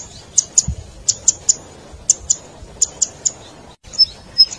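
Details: Zitting cisticola (cici padi) lure call for trapping wild birds: very high clicking notes in pairs and triples, then two slightly lower, fuller whistled notes at the close.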